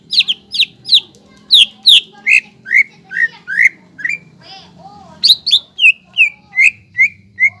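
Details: Greater green leafbird singing loudly as a lure for untrained young leafbirds. A lively, varied stream of sharp whistles drops from high, ringing notes to lower slurred ones, then climbs into another rapid run, with a faint hum behind.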